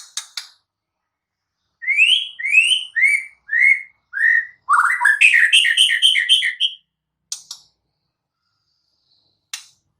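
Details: White-rumped shama in the wild, singing a phrase of five clear upslurred whistles about half a second apart, then a fast buzzy run of repeated notes, with sharp clicks before and after in otherwise quiet surroundings.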